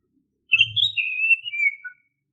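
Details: Single sweet whistled phrase of an Oriental magpie-robin, a song used as a lure to set caged birds singing. It rises briefly, then slides gradually downward over about a second and a half, over a faint low rumble.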